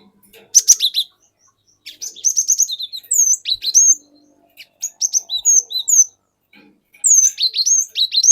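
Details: Cinereous tit of forest origin singing a lure song to draw in other birds: strings of quick, sharp whistled notes repeated four to six times per phrase, with pauses between, and a few swooping upslurs.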